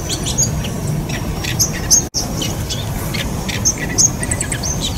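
Bull-headed Shrike giving scattered, irregular high chirps and squeaky notes, some thin and whistled, over a steady low rumble of background noise.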